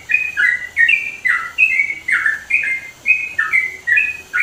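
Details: Chatty and loud, a sooty-headed bulbul in the East Java mountains pours out a continuous flow of clear whistles, notes stepping and slurring between two pitches, about ten phrases in four and a half seconds.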